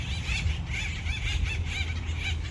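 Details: Acorn woodpeckers in an oak grove in Woodside, California: 20 to 25 males fighting for days to become the new alpha male of a family group and stealing acorns from the granary tree, squawking raucously with harsh, overlapping nasal calls over wind.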